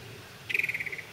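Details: Yellow-breasted chat singing in spring in a holler, where several chats chase each other: a single fast run of about ten short, even, clipped notes, steady in pitch, lasting half a second after a quiet start.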